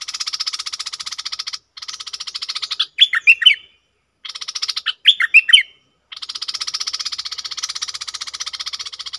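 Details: A red-whiskered bulbul is kept as a decoy bird, with its calling, double and 'rik' calls stated. Two bursts of bright, bubbling whistled notes are heard. They are framed by a loud, rapidly pulsing buzzy drone that stops between them.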